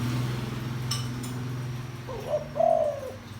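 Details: Spotted dove with a deep voice, cooing to excite decoys; a steady low mechanical hum fills most of the recording before a wavering lead note and a longer falling coo near the end.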